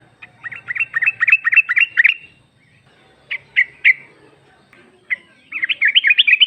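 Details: Female sooty-headed bulbul calling to the male, used as a lure to make another bulbul answer; a fast run of bright, chattering notes for two seconds, a pause, three sharp single chirps, then another quick rattling burst.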